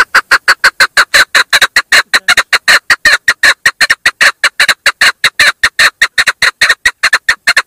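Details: Continuous rapid clucking by a female chukar, loud rasping chuk notes packed closely together in an urgent, slightly irregular series throughout.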